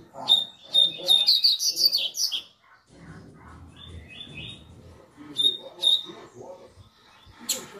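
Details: Double-collared seedeater warming up with tui-tui song: a long rattling burst of high notes and buzzy trills, a pause with music, then more sharp whistled notes.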